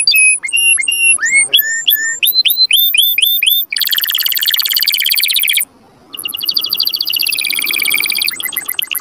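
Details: Canary song played to stimulate males and bring females into mating; series of repeated clear whistled notes, then rising slurred notes, a long dense buzzy trill, a brief pause, and a fast rattling trill.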